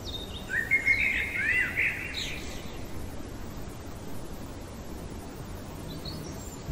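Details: In the dead of night, a common blackbird gives one mellow fluted phrase of slurred warbling notes, ending in a brief higher twitter. Several seconds of quiet hiss follow, with a faint high note at the close.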